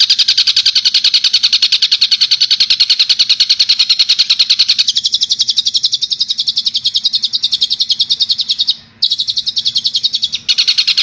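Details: Madura long-tailed shrike, recorded as a master track for training songbirds, pours out a long continuous trill of fast, regular high chips, about three per second, that narrows and drops a little halfway through, with one brief break.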